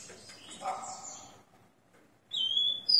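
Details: A Rufous-collared sparrow singing at 6 a.m. on 29/09/2021 after its moult gives clear, high whistled notes, a steady note then a higher one, after a moment of softer mixed chirping and near silence.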